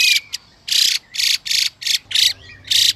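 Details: A few loud rasping 'xùy' bursts from a female hwamei, given to stimulate a male to sing, alternate with short bright whistles from the male.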